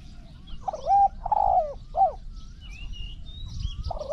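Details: Zebra dove used as a decoy to lure wild doves in a Thai trapping contest, with scoring of calls. Low hooting coos, some with a dipping shape, in short bursts. Thin higher chirps from other birds and steady low background rumble.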